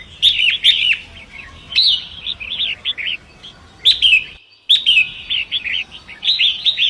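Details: Long-tailed Shrike from the forest by a swift river, song used to tutor other songbirds: rapid scratchy chattering phrases with hard clicking accents, repeated in several bursts, briefly cut off midway before the chatter resumes.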